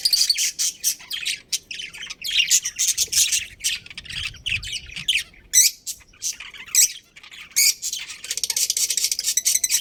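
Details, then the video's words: Budgerigars, a breeding pair kept in a colony, chatter almost nonstop: dense, scratchy, high-pitched chirps and squawks in quick irregular bursts, with short gaps. "Cute Budgies Chirping Sounds"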